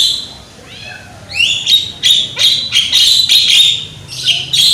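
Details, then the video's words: Young Javan myna with a strong voice, in a song-prompting recording: a few upslurred whistles lead into a dense, loud run of harsh, buzzy chatter and grating notes, delivered almost continuously. "JALAK KEBO MUDA SUARA KERAS"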